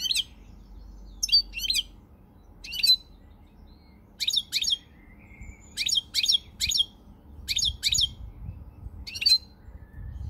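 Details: Goldfinch singing, dated 20 March 2020: lively tinkling phrases in quick pairs and triplets, high and metallic, with a soft drawn-out note in between and a low hum underneath.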